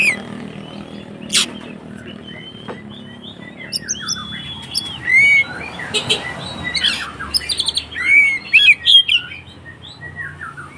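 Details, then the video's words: Oriental magpie-robin fighting song meant to provoke other birds. A noisy, sparse opening with a loud click gives way to scattered slurred whistles and bursts of chattering notes, some loud and ringing, later in the recording. "SUARA BURUNG Kacer konslet TARUNG untuk PANCINGAN KACER agar ikut KONSLET"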